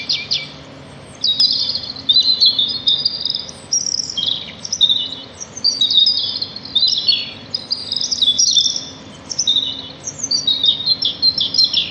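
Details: Sparrows chirping in nature, short clusters of high twittering notes separated by brief quiet gaps of about a second, repeated throughout twelve seconds.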